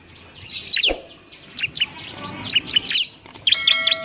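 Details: Bar-winged prinia (ciblek semi) singing as tutor material for other birds; arched high whistled notes and scattered chirps over a faint hum, one low thud near the first second, a buzzy cluster at the end.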